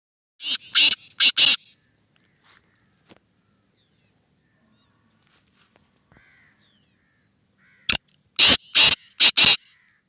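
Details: Black francolin (kala teetar), described as a speeder giving nine calls a minute: two harsh, grating phrases of about four loud buzzy notes each, one early and one near the end, with near silence between.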